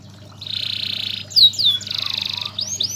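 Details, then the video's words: Canary master song for training: a smooth buzzy sustained trill, two bright swooping whistles, another buzzing roll, and final arched notes over a low hum. "BURUNG KENARI Gacor‼ di MASTERI pakai burung ini LANGSUNG Ikut Gacor❗❗"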